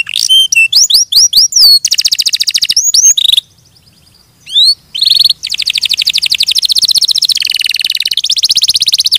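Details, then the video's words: Canary singing a fast, varied song of high notes: sweeping whistled slurs, rapid buzzy trills and sustained rattling rolls, with a brief pause midway before a long dense trill. "Suara Burung Kenari"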